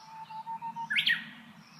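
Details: Japanese bush warbler, a bird said to be rarely heard in the city, sings one hō-hokekyo. A low, steady whistle lasting almost a second breaks into a sudden loud, looping flourish that fades quickly.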